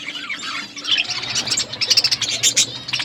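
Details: Budgies at their food giving short, sharp high chirps in quick pulsed bursts over a faint chattering background.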